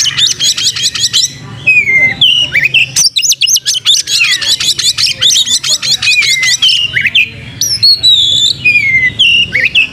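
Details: White-rumped shama in full song, described as lively and spreading its tail: rapid bursts of sharp repeated chips alternating with clear whistled slurs, varied and loud, with a faint low hum behind.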